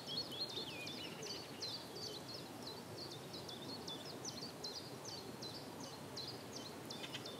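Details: Male Common Reed Bunting (Emberiza schoeniclus) on 9 April 2017 at 08:30 in Brökermersch, Hamm, filmed with a Panasonic Lumix GH5: a steady run of short, high, sharp ticking notes, several per second, over a broad, low outdoor background hiss.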